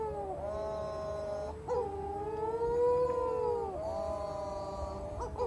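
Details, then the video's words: Young storm petrels, locally called the Matamanoa bird, crying at night from bushes on Matamanoa Island, Fiji, where they come to breed; drawn-out tonal wails that rise and fall slowly, with a short break before the next long moaning note. "Matamanoa Bird Sounds"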